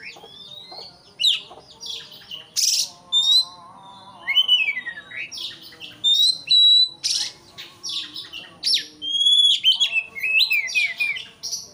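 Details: White-rumped shama singing to provoke a rival; dense bursts of harsh squawky notes mixed with clear whistled slides and rapid chattering phrases, with brief gaps between bursts.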